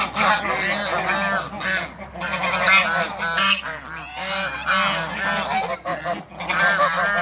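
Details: Toulouse and African geese kept in a backyard, crossed to create a new hybrid, calling in a loud chorus of overlapping nasal honks with stacked harmonics, several birds at once, one call after another with brief gaps.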